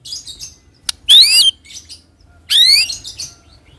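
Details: White-rumped shama, used as a lure to make other shamas sing a rolling song: two bright rising whistled notes with overtones, about a second apart, separated by faint clicks.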